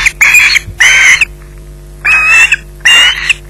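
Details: Osprey holding a fish at the nest, Loch Garten, 20:33: four drawn-out, harsh screeches, each about half a second long, in two pairs separated by a pause, over a low constant hum.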